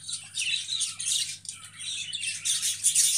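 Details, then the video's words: Budgerigars chirp and warble steadily, a thick high-pitched chatter pulsing in quick bursts, with a steady low hum underneath. "বাজিগর পাখি ভাইরাল ভিডিও"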